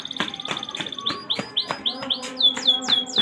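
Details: Canary singing an energetic song: a fast trill of high notes, then a series of rapid, repeated downslurred whistles, about two per second, over a low steady hum and background noise.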